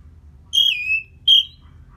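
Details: Orange-headed thrush after moulting, heard to make the bird more aggressive: a pure whistle that steps down and trails off, followed by a short higher whistle, against a faint low hum.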